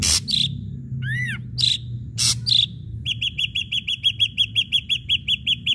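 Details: Ashy drongo song used to provoke other birds into singing: opens with harsh bursts and arched whistled notes, then settles into a fast, regular string of clear repeated notes.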